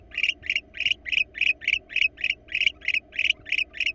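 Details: Wild barn owl pair visiting a nest box in Florida, recorded by a live nest cam. Short raspy, chittering bursts repeat rapidly, about three or four per second, with a faint low hum underneath.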